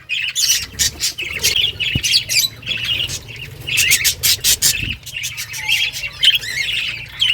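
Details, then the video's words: Australian budgies of a home breeding colony in a cage; bursts of raspy chirps and squawks from several birds, separated by short pauses, over a faint low hum. "Budgies breeding progress and chirping sounds"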